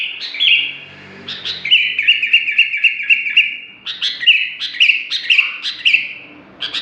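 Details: Sooty-headed bulbul with an odd piercing song: a run of clipped whistled notes at a steady pitch, then louder chirped bursts repeated about every half second.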